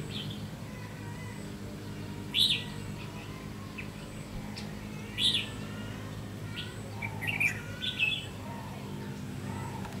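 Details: Red-whiskered bulbul being lured with a decoy bird, 30 May 2016; sparse, clipped chirps every few seconds, with a small cluster of softer notes near the end, over persistent low background noise.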